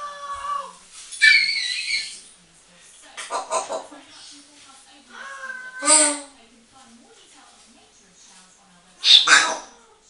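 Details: Female 8-year-old pet grey parrot chatting to herself in a bathroom: short speech-like phrases mixed with sharp whistles and squeaky notes, several bursts over ten seconds in a small echoing room.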